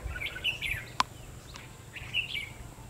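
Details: Red-whiskered bulbul recorded during trapping with a decoy bird on 22 February 2016. Two short, bright, whistled phrases, each about half a second long, are separated by a sharp click, over a constant low hum outdoors.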